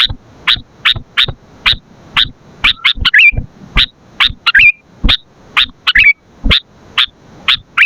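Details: Sooty-headed bulbul in 'gacor' song for bird luring and training: a rapid, uneven series of sharp high chips, about every half second, with several slurred, wavering phrases mixed in, plus faint low thumps.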